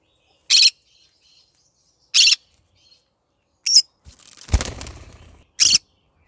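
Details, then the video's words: Pet yellow-sided green-cheeked conure in the morning giving short harsh broadband squawks spaced about a second or more apart, with a burst of rustling, flapping-like noise between the last two calls. "cute bird singing : good morning My bird singing to day Green cheek conure yellow sided"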